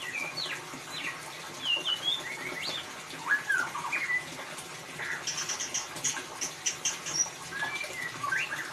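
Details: White-rumped shama song used as a lure to prompt a silent caged bird to sing: varied whistled notes and rising and falling slurs, with a dense burst of high chirps midway and a steady background hiss.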